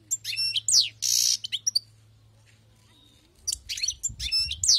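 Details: Wild-caught European goldfinch song: quick twittering phrases with a harsh buzzy note, then a silent pause before more chattering, tinkling notes, with a faint low hum behind.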